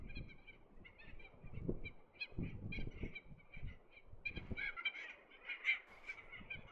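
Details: Red-tailed tropicbird on courtship flights above sea cliffs of Lord Howe Island in a breeze; continuous rapid series of rasping, ratchet-like calls, partly overlapping, with gusts of wind buffeting underneath.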